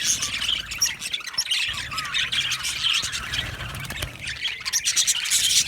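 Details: Colony of happy aviary budgerigars: busy high chatter with squawky notes and a short downward whistle near the middle, calls overlapping throughout.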